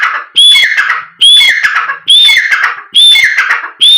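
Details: Close black francolin call used to set other birds calling and excited: grating phrases with a bright whistled start and raspy falling notes, five in quick succession, spaced under a second apart.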